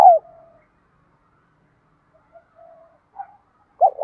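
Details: Spotted dove giving fight-urging and calling coos in the 'thổ' and 'hạp bổi' voice styles: a short low hoot opens, faint soft coos follow, and another brief loud hoot closes.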